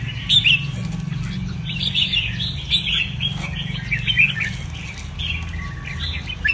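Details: Caged red-whiskered bulbul in a training cage, singing bursts of bright, quick warbled and chirping phrases in a busy stream, with a steady low hum underneath throughout.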